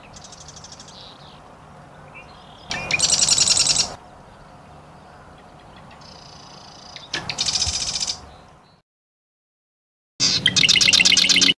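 A Marsh Wren gives three dry, buzzy, mechanical rattles, each about a second long and a few seconds apart, with faint high notes between.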